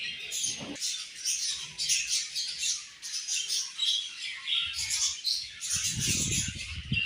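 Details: Several budgies at morning feeding time give nonstop bright chirps and squeaky chatter, with short louder bursts. Faint low rustling or knocking is heard near the start and again toward the end.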